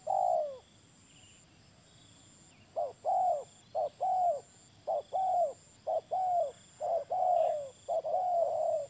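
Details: Spotted dove cooing: a series of soft, low, tonal coos with a slightly falling pitch, given in uneven bursts of short and longer notes after a pause at the start, with faint insect-like hiss behind.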